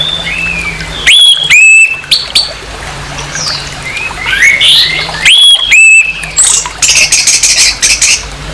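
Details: Orange-headed thrush harsh song intended to stir aggression in another orange-headed thrush: loud rising whistles in two clusters, followed by a fast stuttering run of scratchy high notes, with steady background hiss.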